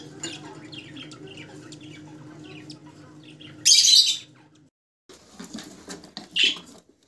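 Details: Rosella of one of several colour mutations, soft twittering followed by a loud, harsh squawk burst, a pause, then a shorter high call.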